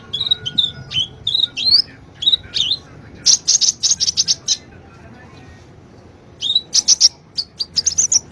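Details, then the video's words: Sunbird song used as a lure for a silent bird, opening with varied slurred whistles, then a rapid series of piercing chirps, a short pause, and another burst of sharp tweets. "Pancingan Ampuh,buat Kolibri yang malas bunyi"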